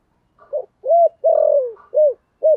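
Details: Spotted dove cooing in the thổ voice style, used as a lure to call wild doves quickly to the perch: a soft lead-in note, then short arched coos around one long, drawn-out coo that slides downward.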